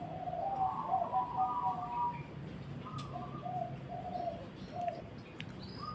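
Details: Zebra dove song with rolling staccato cooing phrases, pausing between bursts of soft tonal notes; a few faint chirps and a low steady hum sit in the background.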